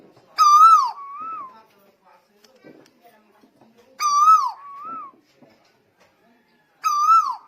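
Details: Three phrases from a vigorously singing Lombok tuwu, each a loud, ringing, downward whistle followed by a softer rolling note, spaced about three seconds apart in near silence.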